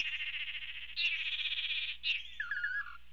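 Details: Three male Lance-tailed Manakins on a perch in Panama, 16 March 2017, give a dense, buzzy, warbling chorus of high notes in overlapping bursts, ending with a few rising and falling whistled notes.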